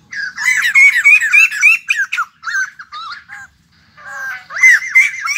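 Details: White-crested laughingthrush, a new wild-caught cage bird, delivers a fast harsh cackle climbing through rising whistled notes, breaks off briefly, then resumes with loud rising laughter.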